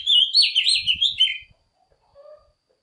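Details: Oriental magpie-robin lure song, used to call wild birds and spur morning singing in young birds: a rapid, rolling phrase of clear whistles and trills lasting about a second and a half, followed by near silence.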